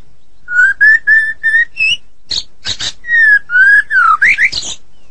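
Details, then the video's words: White-rumped shama, Medan type, in full gacor song: a row of steady, pure mid-pitched whistles, then harsh raspy notes, a falling whistle and quick upward-sweeping chirps. "Murai Batu Medan Super Gacor Durasi Panjang"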